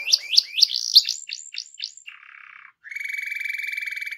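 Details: Canary, rolling song played to encourage other canaries to sing: a series of descending slurred whistles about four per second, a low buzzy rattle, then a rapid high trill.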